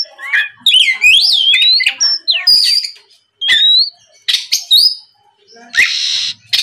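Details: Oriental magpie-robin lure song meant to prompt novice kacer to reply; sweeping whistled slurs and warbles, short sharp notes, and a harsh rasping burst near the end.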